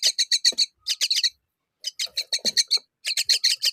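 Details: Mother myna feeding fig to her chicks; bursts of sharp, buzzy chirps in quick groups of four to six, separated by short silences.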